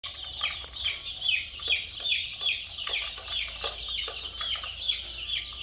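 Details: Many colourful chicken chicks peeping together in a dense chorus: high, short downslurred cheeps tumbling over one another, with louder bursts swelling roughly every half second.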